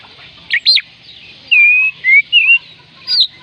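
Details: Kacer, the Oriental magpie-robin, singing to rouse reluctant birds: two quick high notes, then long clear level whistles with slight wavers, and a last short high note.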